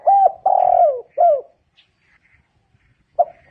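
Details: Spotted dove ending a phrase with a hooked coo, a long rough descending coo and a final bent coo, followed by quiet and the start of the next note.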